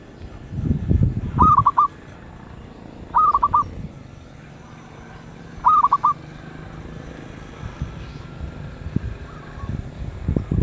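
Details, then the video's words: Medium-voiced zebra dove cooing in brief rolling phrases of several rapid notes, three bouts about two seconds apart, over low thumping background noise. "Merbuk suara sedang"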